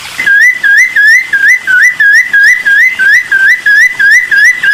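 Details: Cucak timor song aimed at making other birds answer: evenly repeated wavy whistles at a steady pitch, roughly three each second, clean with no other sounds.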